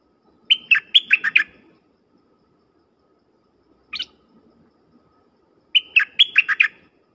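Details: Decoy dok taeng bird singing to lure wild birds. Two quick phrases of clear, bright whistled notes, each about a second long, separated by a pause broken by a single short chirp.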